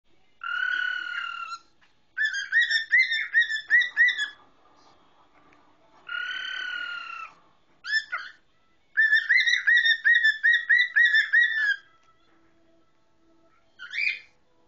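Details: A five-year-old male pet cockatiel sings clear, wavering whistles, saying "tweety, tweety" and "peek-a-boo", alternating long steady notes with quick runs of rising chirps, in bursts separated by short pauses.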